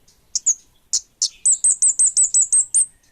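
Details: Orange-headed thrush, local variety called kemade bunga api, singing vigorously: a few scattered sharp high notes, then a fast run of about eight bright, downward-slurred whistled notes at an even pace, ending in a short trailing note.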